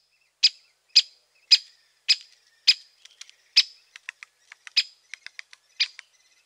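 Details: Great spotted woodpecker (Dendrocopos major) calling: sharp, high 'kik' notes about every half second, with fainter, quicker ticking notes in between.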